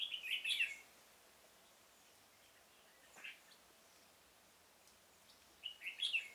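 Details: Red-whiskered bulbul used as a decoy in a pomelo garden to lure wild birds into a trap, October 2017: short warbled phrases of rich descending notes at the start and end, separated by a long quiet stretch of faint background.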